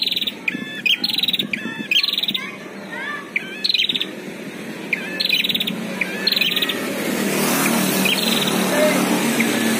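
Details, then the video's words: Prinias, one caged and one wild, in a heated vocal fight, used as training audio: short high bursts of rapid buzzy stuttering notes come every half second or so, with a few thin chirps between, then a broad steady hiss from seven seconds. "PERTARUNGAN SENGIT BURUNG PRENJAK || kandang vs liar"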